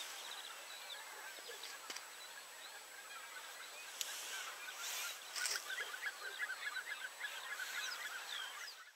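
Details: A flock of common cranes calling from afar, with murmuring distant notes at first. The calls build into a clearer run of rapid, repeated trumpeting calls toward the end, punctuated by a few sharp clicks.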